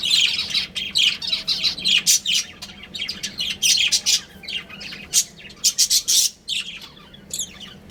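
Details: Budgerigars, a breeding pair, chatter loudly with fast strings of buzzy, high chirps and clicks, broken by short gaps, over a soft low hum.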